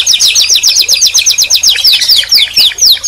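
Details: Rapid canary trilling, about four bright chirps per second, each note sliding down, forming a continuous high, lively song phrase.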